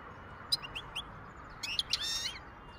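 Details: Wild European goldfinch singing in 2023: a few short, high chirps early on, then a denser burst of bright twittering notes near the end, over a steady background hiss.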